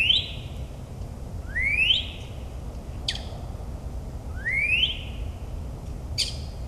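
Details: At night in a New Jersey suburb, a northern mockingbird, known for copying other species, gives rising whistled slurs about every three seconds, with short sharp clicks between phrases and a steady low rumble beneath.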